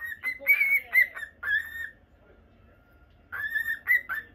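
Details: Caged pet cockatiel, Normal Lutino male, Japan; bright whistled phrases with rising and falling notes for two seconds, a quiet gap, then another run of whistles.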